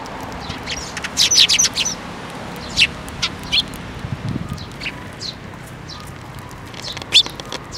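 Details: Eurasian tree sparrows, one the first fledgling of the year, gather for feeding at a Tenmangū shrine, 7 May 2024. A rapid burst of chirps, then scattered single chirps, and a brief low thump midway.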